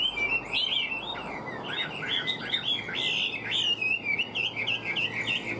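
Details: Pet hwamei with a stiff fig-leaf tail, billed as an outstanding singer: high, sweet whistled phrases in quick succession, many notes curling upward, rhythmic and insistent throughout.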